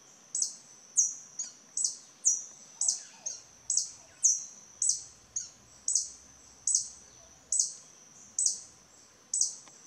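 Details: Territorial violet sabrewing in the wild in Costa Rica gives sharp, very high chips, about one every two-thirds of a second, in a steady aggressive series over faint hiss; this species defends its territory vocally and by chasing other hummingbirds.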